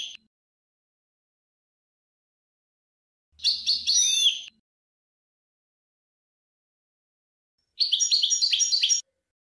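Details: European goldfinch song in short separate bursts: high tinkling, twittering phrases of quick chirps and buzzy trills, each lasting about a second, with long silences between.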